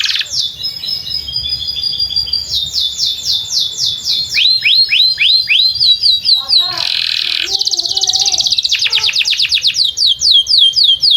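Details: Canary song by a field, for teaching young canaries: varied tours of rapid whistled sweeps and hooked notes, a buzzy rattle midway with lower soft chatter, then fast repeated trills.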